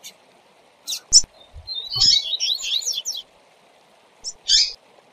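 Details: Double-collared seedeater tutor song for training a young bird: a short burst of high, quick twittering notes and trills, preceded and followed by sharp separate chirps, over a steady low hum.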